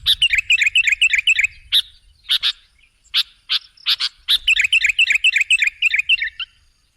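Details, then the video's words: Sooty-headed bulbul recorded as a lure for other birds: rapid bubbly chatter, a stretch of separate sharp notes, then another fast run of chatter, over a faint low rumble. "Suara burung KUTILANG jebakan pemikat"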